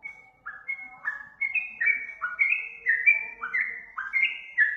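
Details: Sooty-headed bulbul, used as a lure call: after a brief pause, sweet whistled notes build into a rapid, rolling sequence of rising and falling slurs, with a faint low tone beneath.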